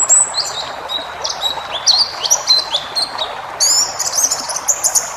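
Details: White-eye training recording for caged birds in the wild-style 'ngalas' full-fill manner, meant to ease stress and prompt a reply. High thin chirps and short whistled notes, some sliding, scattered through a faint hiss.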